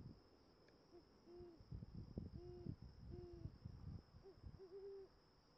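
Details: Great horned owl fledgling on its 11th day after leaving the nest, filmed with a Nikon Z fc: a series of short, low hooting notes, about six in five seconds, over a steady high insect drone and low thumps.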